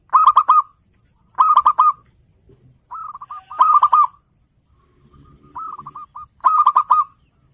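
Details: Local zebra dove in full, loud song meant to provoke rivals, giving five crisp phrases of rapid staccato cooing notes at roughly one-and-a-half-second intervals, with a quieter phrase between them.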